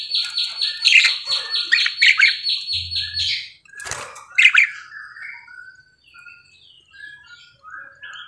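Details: Parakeet kept in a cage, singing frequently: a fast series of repeated high rasping chirps, then a click, a sharp squawk and scattered softer twitters trailing off.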